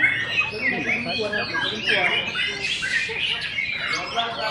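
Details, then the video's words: Tailless white-rumped shama singing at a songbird competition in Sibolga: a dense, fast stream of varied whistles, slurred notes and harsh chatters, overlapping with other competing birds and faint voices in the background. "Murai batu SEMAR tampil memukau tanpa ekor"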